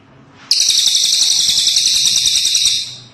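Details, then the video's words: Cililin bird producing a sudden, piercing high trill of rapidly repeated pulses, steady and buzzy for a little over two seconds, then fading into a quiet background. "Suara burung cililin ASLI"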